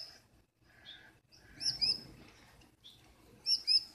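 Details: Cranky female Gouldian finch calling from inside the nest at night, bossing her mate and making him wait outside; short high paired chirps in two bursts with softer lower notes between.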